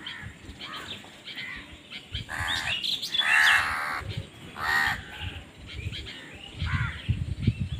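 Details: Hoarse crow caws rise out of a noisy background, with a loud cluster midway and scattered weaker caws, as crows fight for food.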